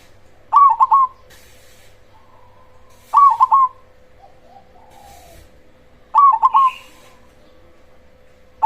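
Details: Loud-voiced black cemani zebra dove used as a lure to stir other zebra doves into answering: three clipped, mellow coo phrases, each of several rapid notes, spaced about three seconds apart over a low steady hum, with faint cooing between.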